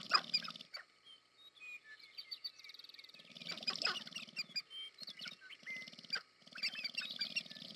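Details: Sharp-tailed grouse in courtship display, American Prairie Reserve, Montana, USA: bursts of low buzzing rattle start and stop repeatedly beneath scattered sharp clicks, short squeaky whistles and busy high chattering.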